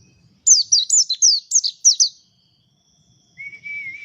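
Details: Mountain white-eye singing in the 'ngalas' style: a quick run of about seven high, sharply descending chirps over under two seconds, a pause, then a steadier, lower whistled phrase that wavers slightly at the end.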